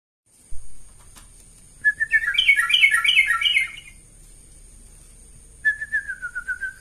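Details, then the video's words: Tame sooty-headed bulbul opening its wings while singing: a short whistled note near the start, then a fast warbled, chattering phrase, and finally a run of clear whistled notes that slide slightly downward. "trucukan jinak bukwa sayap"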